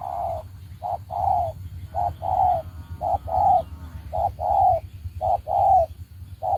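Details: Decoy spotted dove for bird trapping, calling rhythmically: hollow, low coos in pairs, a clipped first note and then a fuller, slightly descending second, about six pairs in a row over a low background rumble.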